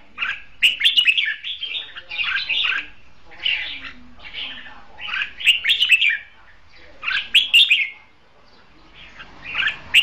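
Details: Red-whiskered bulbul used as a caged decoy for trapping, giving repeated chattering warbled phrases in loud bursts about every two seconds, with a low faint hum underneath.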